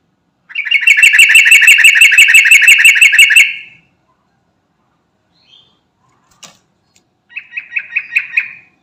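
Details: A garuda-type yellow-vented bulbul calls for companions with a loud, rapid rattling trill of evenly spaced harsh notes lasting about three seconds. After a silent pause, a shorter, softer trill follows.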